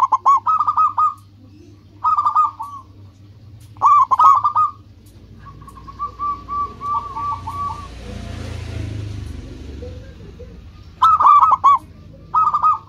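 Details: Local zebra dove in full song, used as a lure for rival birds: repeated phrases of staccato, bubbling coos every two seconds, interrupted midway by a soft rushing noise, with a low hum beneath.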